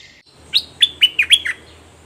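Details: Caged Red-whiskered bulbul used as a decoy, calling to a fierce wild bird, recorded 21 January 2021; five bright, quick chirped notes with a slight downward slur, run together in about one second against a quiet background.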